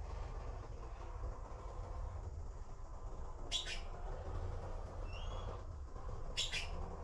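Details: Young blue magpies waiting for food, making two short, noisy, scratchy squawks roughly three seconds apart, with a thin slurred whistle in between, against steady low-pitched background hum.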